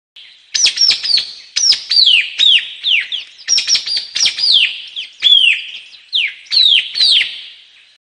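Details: White-capped tanager singing: a steady run of loud, sharp whistled notes, each starting high and sweeping steeply down, given singly or in quick pairs and triplets with short gaps, against a quiet background.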